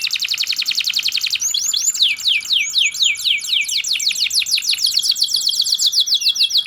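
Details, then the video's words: Canary singing in the rolling, sharp ngerol style with cengkok nembak phrasing, used as a training song for other birds: a fast, even, high trill, then a run of quick, sweeping, slurred whistles repeated several times a second. "KENARI GACOR NGEROL TAJAM||MASTERAN BURUNG||Kenari Gacorr cengkok NEMBAK."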